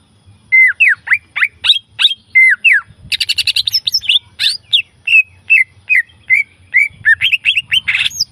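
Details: Wild green leafbird singing: a quick run of slurred, whistled notes, many dropping or rising sharply, then a burst of rapid high chirps and a varied chattering series of sweet notes, phrases spaced under half a second apart.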